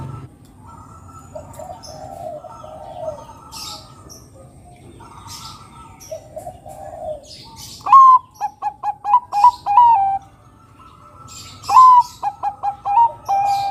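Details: Zebra dove of the Bangkok type singing loudly, used to lure other doves into song: soft rolling trills at first, then two bursts of quick staccato cooing notes, each burst led by a slightly higher note. Faint chirps from other birds and a low background hum.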